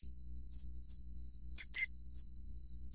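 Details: Mating common kingfisher (Alcedo atthis): scattered thin high-pitched whistled pips and one loud shrill doublet, set against a constant hissing background.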